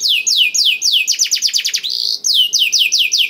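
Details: Kenari isian blackthroat, song to stimulate other canaries: evenly paced sweet downslurred whistles, a quick burst of sharp trilled notes, a sustained buzzy tone, then more falling whistles.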